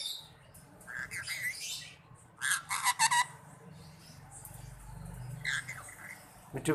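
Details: Rose-ringed parakeet, a pet bird, talking in Urdu/Hindi; a sequence of harsh squawks and chattering, speech-like bursts, with a loud clustered run in the middle and quieter murmuring between.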